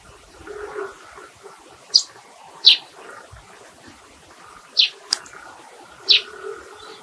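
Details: Eurasian tree sparrow giving brief, sharp chirped calls, some in pairs, spaced irregularly over several seconds, with a soft continuous hiss and faint lower sounds behind.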